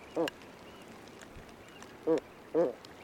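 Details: A Great Cormorant (Phalacrocorax carbo), recorded in the wild, gives three short, hoarse, guttural croaks at uneven intervals, low and nasal, over a faint outdoor background.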